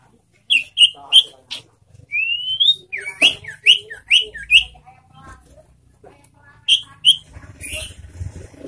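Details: Sirtu kept in captivity delivering a series of short, bright whistled notes with a smooth rising slur in the middle, the notes coming roughly every half second.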